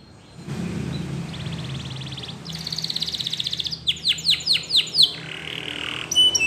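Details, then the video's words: Belgian canary rambling song: buzzy trills, a fast pulsed roll, then several loud descending whistled sweeps and a final bright chirp. "The Best Belgian Canary Ramblings !! Your Canary Won't Stop Singing"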